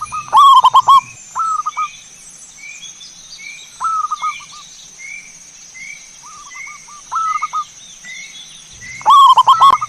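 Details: Zebra dove singing, recorded as a lure to prompt other doves to sing. Loud trilled cooing phrases open and close the stretch. Quieter repeated coos and a series of short higher chirps fill the middle over a constant high hum.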